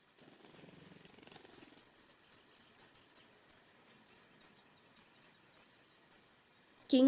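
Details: Kingfisher calling in a series of sharp, thin, high-pitched notes, each short and clipped, repeated unevenly about twice a second; a faint low murmur underlies the opening, and a sudden loud burst ends the sequence.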